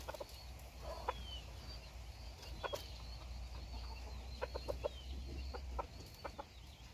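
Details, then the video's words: A bored bantam chicken that wants out makes scattered short clucks, singly and in quick runs of three or four, against a low hum with faint high thin whistles in the background. "He's Bored Now He Wants Out - Qaib Dib Bantam"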